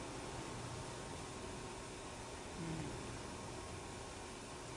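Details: A steady broadband hum like a fan or air conditioner fills a small indoor room, with faint low murmurs and no animal voice.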